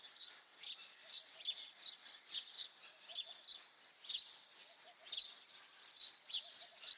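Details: Softer, slightly distant house sparrow chirping, about nine high chirps over seven seconds, with faint lower twittering between them.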